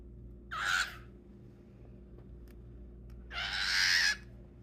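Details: A cockatiel fighting with fingers gives two harsh, breathy hisses, the second longer and louder than the first.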